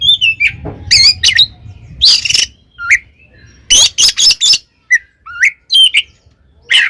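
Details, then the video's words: Fighting song of an Oriental magpie-robin, used to provoke other magpie-robins: rapid mix of sweet whistles, upslurred notes and scratchy noisy bursts, delivered in quick clusters with brief gaps, some low background hum early on. "SUARA BURUNG kacer gacor TARUNG KONSLET nembak ini AMPUH buat PANCINGAN KACER agar EMOSI SEKETIKA"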